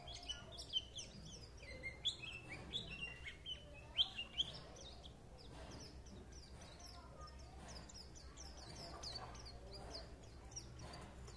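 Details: White-eye twittering: quick, high chirped and slurred notes tumble out over the first four seconds, then fade to scattered faint chirps above a steady low background hum.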